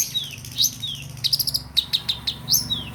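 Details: Long-tailed shrike sound meant to spur silent shrikes into song: clear high whistled slurs alternate with quick clusters of sharp clicking chirps over three seconds, with faint low hum beneath.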